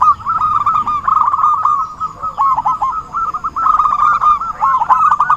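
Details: Trapping lure of a zebra dove: dense, stuttering bursts of trilled cooing at one pitch, repeated in overlapping phrases through the whole stretch.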